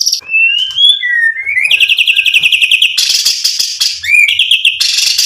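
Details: White-rumped shama, Indonesian murai batu, singing a provoking song meant to excite rivals: rapid trilled phrases with long rising whistles, dense buzzy rattles near the top, continuous loud varied delivery.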